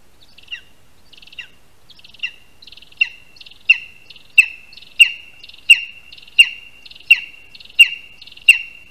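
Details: Lesser spotted eagle (Clanga pomarina) at a spruce nest in Latvia, 22 August 2021, 1:38 PM, during the first prey handover, with a rat as the prey. High calls grow steadily louder and more regular into an insistent series of shrill, falling yelps, about one per second.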